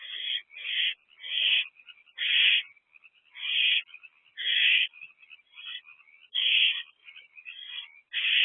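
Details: Owlet trio in an owl box, evening of 22 April 2024: loud hissing bursts alternate with softer, twittering chitters, irregularly overlapping.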